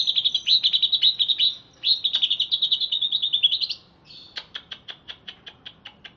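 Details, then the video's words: Wild-caught greater green leafbird from Alas Purwo, Banyuwangi, singing just after a bath: long rapid chattering warbles near the top of its range, then a row of sharp separate chips repeated about every quarter second. "Cucak Ijo Alas Purwo Cerewet"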